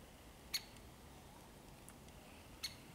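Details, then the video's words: Great spotted woodpecker screeching, 13 February 2022: two sharp, high 'kick' notes about two seconds apart, against a quiet, still background. "Skrzeczenie dzięcioła dużego"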